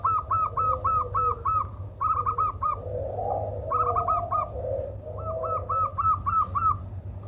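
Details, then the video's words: Zebra dove with an unusual call reputed to work well as a lure: short, clear, arched notes delivered in fast bursts of four to six, with brief pauses between bursts and a soft lower warble and constant low hum behind. "Perhatikan Suara Aneh Pada Perkutut Ini. Konon Katanya Suara Ini Sangat Cocok Buat Pancingan"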